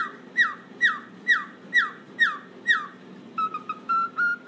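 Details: Pet cockatiel playing on a toy swing and reacting to cockatiel singing sounds: seven clear, downward-sliding whistles about twice a second, then a quick series of short, level, slightly higher whistled notes.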